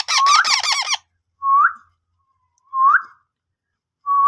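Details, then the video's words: Ringneck parrot making natural sounds, opening with a harsh, rapid chattering burst, followed by clear rising whistles repeated about every one and a half seconds. "Ringneck parrot natural sounds"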